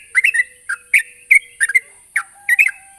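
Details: Sooty-headed bulbul in energetic voice, calling a rival: short, bright chirping notes in quick pairs and triplets, some slurred downward, coming in bursts about every third of a second, over a steady high-pitched hiss and a faint low hum.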